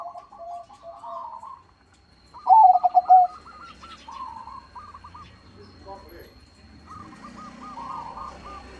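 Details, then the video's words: Crossbred zebra dove with a powerful voice gives one loud, bubbling coo burst near the middle. Many quieter overlapping coo series from other doves run before and after, with faint background murmur. "PERKUTUT CROSSING GACOR SUARA BESAR"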